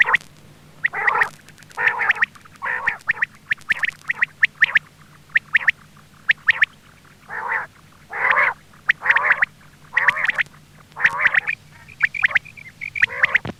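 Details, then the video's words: Quail calling for use as a hunting lure, with rough, buzzy bursts alternating with sharp high chips about once a second, uneven and overlapping throughout. "Quail bird sound for hunting | Btair voice"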